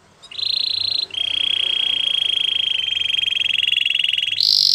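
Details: A white Belgian canary gives a short higher roll, then a long, steady, buzzing trill held on one pitch for several seconds, ending with a sudden brighter high note.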